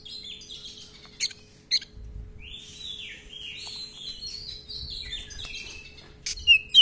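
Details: Oriental magpie-robin singing with long rolling phrases and many varied filler notes, kept as a songbird for training other birds; a run of whistled, sliding notes mostly high-pitched, with sharp clicks and a steady faint hum beneath.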